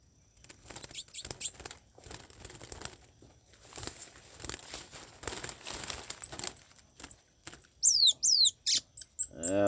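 Six seconds of rustling and crinkling, then a chestnut-bellied seed finch gives high, clear whistles and quick sweeping slurred notes in short bursts.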